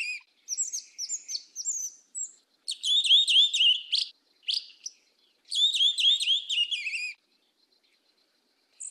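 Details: Yellow-legged thrush, black bird, 'mateiro do sul' song style: dense, rapid high phrases of chattering, warbled notes mixed with whistled slurs, given in three main bursts with short gaps, ending in silence.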